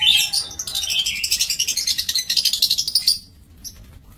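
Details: Lovebirds in an aviary cage on 5 July 2024 chatter in a fast, pulsing stream of high screechy notes for about three seconds before falling quiet.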